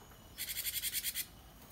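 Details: Caged cinereous tit, locally gelatik wingko, used to train other birds to sing. One rapid burst of about nine harsh, evenly pulsed buzzy notes, then quiet.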